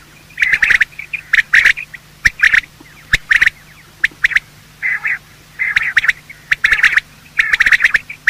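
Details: Quail morning calls from male and female birds, used to bring in quail for hunting: grouped hoarse notes roughly every second, with sharp clicks and short rasping bursts.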